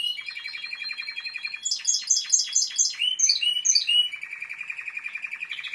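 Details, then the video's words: Timbrado canary singing a varied sequence: a quick rattling trill, then loud descending sweeping notes repeated about six times, then warbled phrases easing into a steady, rapid rolling trill. "تسجيل طائر كناري تمبرادو"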